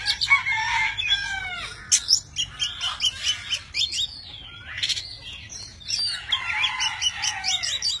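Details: Oriental magpie-robin, a tame bird, singing a many-voiced song while spreading wings and tail; clear descending whistles, slurred warbles and scratchy notes alternate in quick phrases, with a short quieter gap midway.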